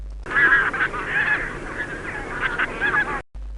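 A Bean Goose gives a run of nasal, trumpeting honks in quick succession, overlapping into a near-continuous chorus for about three seconds.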